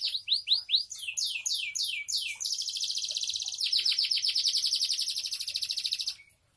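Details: Canary singing in the style called kenari bocor: a run of quick downward-sweeping whistled notes, then a long, fast, even buzzy trill held steady for about four seconds before it stops abruptly.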